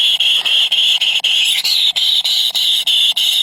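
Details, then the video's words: Hungry nestlings, three baby birds, beg insistently with piercing high squeals in steady bursts. Each burst lasts about a quarter second, separated by short gaps, and the pitch rises briefly midway through. "Three baby Bird is very hungry"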